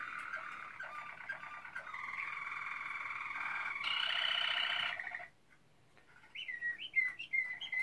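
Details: Malinois Waterslager canary, 2016: a continuous rolling, bubbling song of pulsed trills and sustained tones, rising louder near four seconds, breaking off briefly after five seconds, then resuming with short rising whistled notes.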